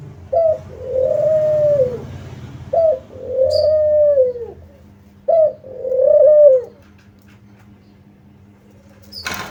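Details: Spotted dove lure call meant to draw replies: three phrases, each a short clipped note followed by a long, mellow, arching coo, repeated every two to three seconds over a faint low hum.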